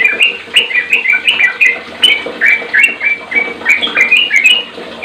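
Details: Sooty-headed bulbul (trucuk) song meant to prompt other bulbuls into singing; continuous chattering run of fluty, warbled notes, several per second, over a constant background hiss.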